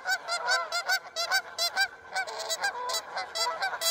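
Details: A flock of Canada geese on the Rideau River, Ontario, in early August, honk loudly and repeatedly, overlapping harsh, nasal calls about twice a second in a noisy squabble as two fight viciously in the water, recorded from a safe distance.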